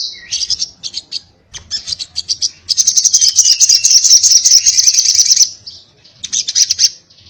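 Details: Crimson sunbird in sharp 'tarung ngalas' fighting-style 'ngobra' song. Short stuttering high notes build into a long, fast, shrill trill, then a pause and a final rapid burst.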